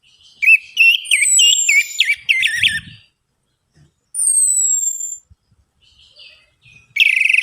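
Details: Orange-headed thrush song played as a lure to get reluctant birds singing: a rapid burst of varied, warbled and chirping phrases, a pause, then a long clear whistle sliding slowly downward, and a final loud scratchy burst.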